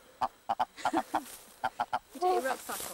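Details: Red grouse (Lagopus lagopus) in the Cheviots, possibly defending a nearby nest, gives short, hoarse, clucking notes in uneven bursts of two or three, then a rougher drawn-out croak, with people talking quietly nearby.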